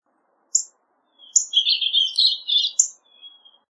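A Purple Finch gives a bright, rapid warble of tumbling high notes lasting under two seconds. Sharp chips come before it, and a thin fading note follows. The background is quiet.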